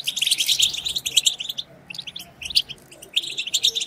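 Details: European goldfinch twittering to stimulate others of its kind: bright rapid chirps and buzzy notes, a brief lull midway, then renewed quick chattering.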